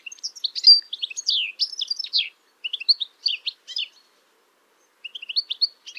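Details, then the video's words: Male European goldfinch singing in spring, a typical twittering song recorded with a Stereo MK3 microphone, Telinga PRO dish and Tascam DR-22WL: quick, high tinkling phrases of mixed chirps and short trills, with a brief pause before a final burst. "Голос Щегла. Песня."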